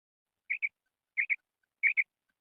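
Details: Female quail calling: soft, slightly buzzy double notes, each pair given quickly, repeated three times about two-thirds of a second apart, in otherwise quiet surroundings.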